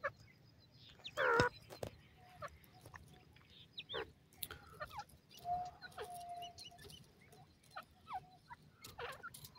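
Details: A francolin (dhobi teetar) chick in the forest gives one loud, harsh squawk, then scattered soft peeps and chirps, with a brief steady whistle midway over faint forest hiss.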